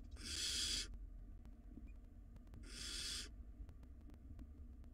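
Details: Wild barn owl nestlings in a nest box, fighting over a very large rodent, give two long harsh hissing screeches roughly two seconds apart over a quiet background.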